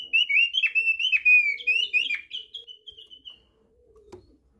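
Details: Thick-billed heleia song used as a lure: a fast, warbling run of bright whistled notes that starts loud and strong, then trails off into softer, slightly lower twitters over about three seconds.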